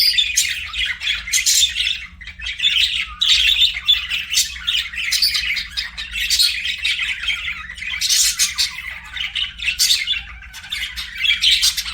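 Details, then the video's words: Budgerigars chirping: dense, continuous warbling chatter of rapid buzzy chirps and squawky notes, overlapping without pause, with a faint low hum beneath. "BUDGIE CHIRPING SOUNDS"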